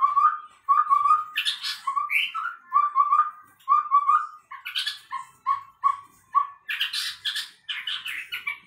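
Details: Chestnut-rumped babbler kept as a tutor bird, which sometimes sounds like a white-rumped shama: clear mid-pitched whistled notes repeated in quick runs, broken by higher rich phrases. No other sounds are heard.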